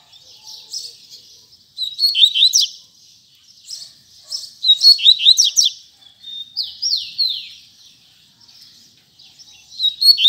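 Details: Tui tui zel zel song from a double-collared seedeater, with loud clusters of fast downswept whistles and trills, a held whistled note and repeated descending slurs, separated by short quiet gaps.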